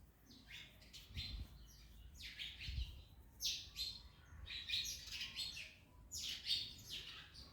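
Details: Parrots eating an orange make rasping chirps in irregular bursts, with low thumps and handling noise in the first seconds.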